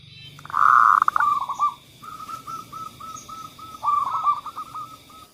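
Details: Zebra dove lure song for doves that rarely sing: a loud rolling coo, then a long row of short evenly spaced coos, swelling into a faster louder burst before fading.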